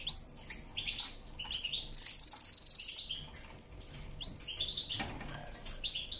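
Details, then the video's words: Canary song made of scattered high chirps and sweeping notes, broken by one rapid, even trill lasting about a second, then more spaced chirps. "CANARY SINGING POWERFUL SONG"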